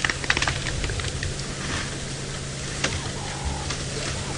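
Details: Clicks and taps over a low steady hum, with a faint rustle and no clear animal voice.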